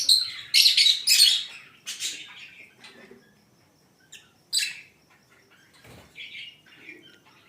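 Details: Lovebirds kept as a breeder colony in Multan give harsh, shrill chattering calls in quick bursts at the start, then scattered sharp high chirps and squeaks separated by short quiet gaps.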